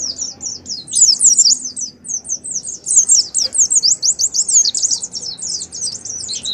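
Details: Oriental white-eye singing 'ngalas' style to lure other caged birds into singing: fast, high, sibilant twittering in pulsing phrases, a short dip around two seconds, then steady rapid notes to the end.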